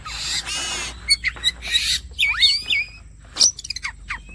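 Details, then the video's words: Oriental magpie-robin song, used as bait to prompt singing: several broad harsh rasps, then a looping whistled phrase and a fast series of sharp clicks and short notes. "The bait for the kacer bird turns directly to the gacor"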